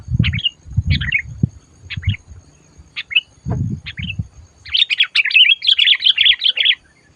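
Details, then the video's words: Sooty-headed bulbul lured for trapping, calling fiercely: spaced sharp two-part chirps over heavy low thuds, then a dense, fast chattering burst lasting about two seconds. "SUARA BURUNG MACIT DISAAt DIBAWA MIkat"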